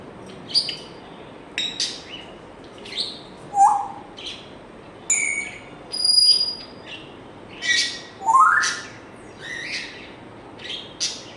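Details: Pet African grey parrot running through many varied sounds: sharp high chirps, a short rising whistle, a sustained piping note, and a loud upward-sweeping whistle, repeated every second or so.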